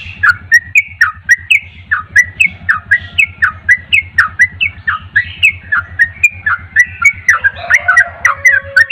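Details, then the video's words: Yellow-vented bulbul in energetic, insistent song meant to provoke other bulbuls to answer: lively bubbling phrases of short, liquid, rising notes, about four per second, over a steady low electrical hum. "trucuk anda pasti langsung nyaut gacor dengar trucuk ini"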